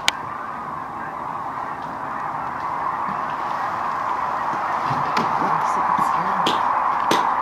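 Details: Cranes landing in the distance near Wood River, watched from a blind on Saturday, March 8: a dense, continuous chorus of many overlapping calls forms a steady wash that grows slightly louder, with a few sharp clicks nearby.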